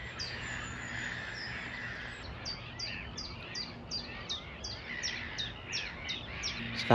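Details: Common chiffchaff singing in woodland at Blashford Lakes Nature Reserve, Hampshire, on a scorching hot mid-June day: about a dozen bright chiff-chaff notes, roughly three per second, alternating high and low, over a low hum and faint background birds.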